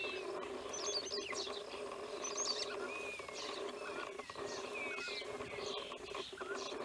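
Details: Wild European bee-eaters filmed in Romania in 2016: several birds give short, rolling, liquid chirps, scattered and overlapping every second or so, over a steady low background hum.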